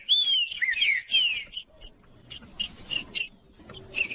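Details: Singing trinca-ferro, or green-winged saltator, meant to warm up a reluctant bird: rich, downslurred whistles in quick phrases for about a second and a half, followed by scattered bright chirps over a faint steady high whine.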